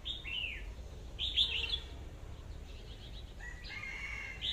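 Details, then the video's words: Short bulbul phrases, a red-whiskered bulbul giving slurred whistles that dip and rise, a louder burst near the middle and a final rising-falling phrase, over steady low background noise. "tiếng hót chim chào mào"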